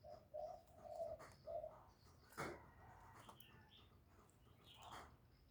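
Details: Caged decoy spotted dove cooing to draw in wild doves: four mellow, even coos in quick succession, then a loud click and scattered high chirping from other birds.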